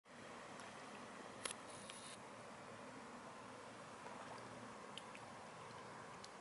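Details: Quiet night ambience at a harbour: even hiss with a few faint clicks and ticks.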